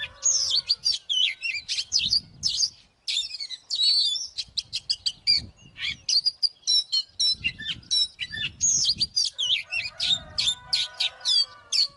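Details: Oriental magpie-robin singing aggressively as fighting bait: long, fast run of high chips, trills and whistled twists, nearly unbroken, with soft low thumps in the background.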